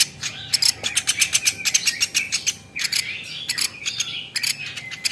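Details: Quick groups of sharp, bright ticking notes from a velvet-fronted nuthatch, used for teaching other birds, pausing briefly midway, with faint slurred whistles underneath.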